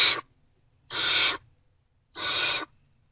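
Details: Great horned owl chicks, not yet fed, in an owl box before sunrise on 3 March 2024, greeting an adult's return with three coarse, airy hisses, the first cut off at the start.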